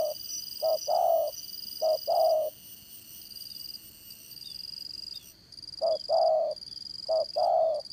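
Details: Spotted dove kept for trapping as a decoy, with a strong voice; two double coos, a pause of three seconds, then two more, over steady high insect-like hiss.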